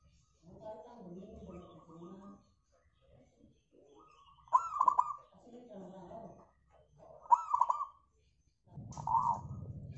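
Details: Local zebra dove, used as a lure to make other birds sing, gives short loud bursts of stuttering coos around mid pitch, with low murmuring voices in between.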